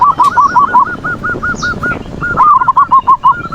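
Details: Perkutut manggung song used to bait rivals and stir breeding condition in zebra doves: a steady string of evenly spaced, arched coos, two birds apparently overlapping, continuing with hardly a break.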